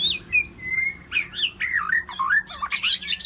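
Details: White-rumped shama communicating with its flock inside an aviary: loud, fluid warbling with long slurred whistles, twisting notes and quick rising and falling phrases, growing busier and more complex toward the end.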